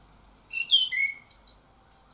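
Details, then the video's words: Short orange-headed thrush song phrase, used to prompt other birds to sing: a quick run of clear whistled notes stepping downward, then a sharp higher slurred note. "Pancingan Anis Kembang Buka paruh dan ngemplong"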